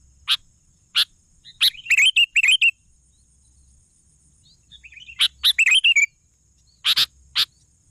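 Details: Sooty-headed bulbul (kutilang) singing actively: sharp, clicking chip notes mixed with short bubbly, warbled phrases of falling and rising whistled notes, in two bursts separated by a quiet pause.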